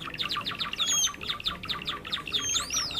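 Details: Java sparrows, birds found in rice fields and farmland, in a lure recording for trapping: a dense, busy stream of short high chirps from several birds, with a few clear rising and falling whistles over the top.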